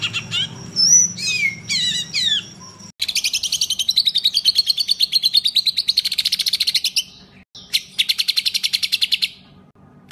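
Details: Rough "tembakan kasar" style birdsong used as a master for training competition songbirds: a few slurred whistles, then a long rapid rattling trill of fast high notes, a brief pause, and another trill.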